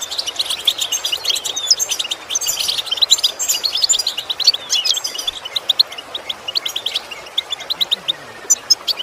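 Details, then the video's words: European goldfinch song used as a lesson for training goldfinches to imitate sounds and improve their singing: dense, rapid high twittering with tinkling, liquid notes and short buzzy trills, almost continuous. "Training The Goldfinch To imitate Sounds Useful Lessons to improve Song"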